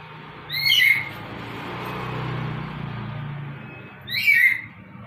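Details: Male black-capped lory attracting a female, giving two short, loud, rasping squawks about three and a half seconds apart over a steady low hum.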